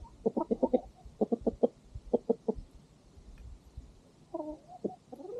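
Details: Farm chickens at sunset while the dog has its meal: repeated rapid clucking in tight bursts of three to five notes, several groups in a row, then a few hoarser, wavering clucks near the end.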